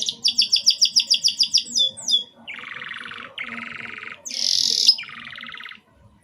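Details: Broken canary song meant to get young birds singing: about a dozen regular, rhythmic pulsed notes, a few slurred chips, two low buzzy rolls, then a sharp high trill and a final lower roll.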